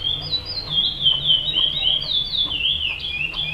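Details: Chestnut-bellied seed finch (curió) singing in the praia song style: a continuous run of clear whistled, slurred notes that rise and fall, linked closely together across the whole stretch, with low background hum.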